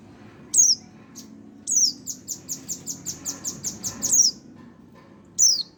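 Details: Month-old young Oriental white-eye calling: a high falling chirp, then a rapid run of about ten short descending notes, ending with more thin downslurred chirps; low steady background hum.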